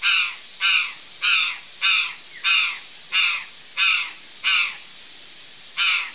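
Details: A series of harsh, hoarse caws from a curl-crested jay near backyard fruit, nine notes spaced roughly 0.6 seconds apart with one longer gap near the end; quiet surroundings.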